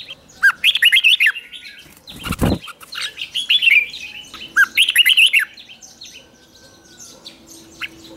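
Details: Red-whiskered bulbul singing in the morning for training, in a fierce competitive style; three short warbled phrases of quick, bright, looping notes, with a loud dull knock between the first and second phrases and faint thin whistles behind.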